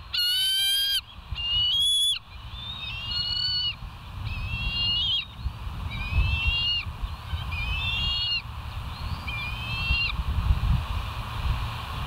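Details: West End bald eagles on a live camera, 25 July 2023 around 05:10. A loud sharp whistle opens, then softer high chattering whistles follow roughly every second, fading against a steady low rumble and hum.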